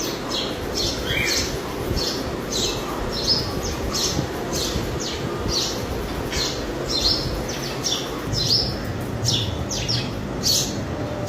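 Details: Male house sparrow chirping: short, bright chirps repeated steadily for about eleven seconds, some doubled, over a constant low rumble of background noise.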